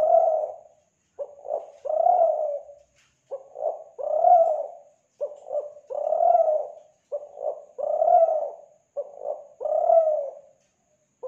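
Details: Spotted dove from Kelantan cooing as a lure for doves: soft, low, hollow coos in short repeated phrases, a brief note or two followed by a longer drawn coo, about every two seconds.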